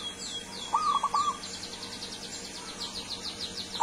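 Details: Zebra dove of wild Kebumen stock: one short burst of rolling, stuttering coos. Another bird chirps rapidly and high almost throughout, with a steady background hum.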